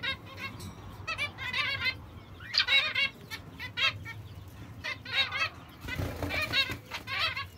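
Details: Young zebra finches beside their mother, kept birds: dense, repeated bursts of scratchy, trilling calls in clusters every half second or so, with rustling and low room noise underneath.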